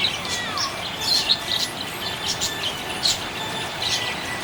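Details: A happy budgie gives a run of brief, high, thin chirps and small twitters at irregular intervals, with one short descending whistle, against a steady hiss.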